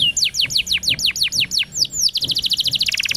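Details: Rapid canary song used to train young canaries: a quick series of downward-sweeping whistled notes, about ten in two seconds, then a dense, fast rolling trill.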